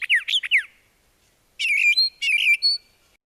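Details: A brown thrasher (Toxostoma rufum) sings a burst of quick, slurred notes, then a rich, buzzy phrase given twice in a row, as it sings each note twice before moving to a different one.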